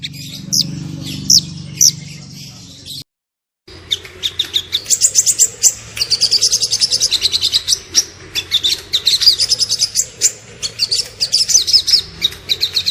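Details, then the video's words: On a masteran track a small bird gives a few sharp chips, falls silent briefly, then pours out a dense, fast stream of high twittering notes in varied tembakan phrases. "MASTERAN BURUNG KECIL FULL TEMBAKAN VARIASI MEWAH"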